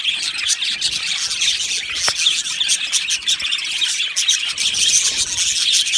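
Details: A dense twitter of many budgies in an aviary, with continuous high chirps and chatter and a couple of faint clicks in the background.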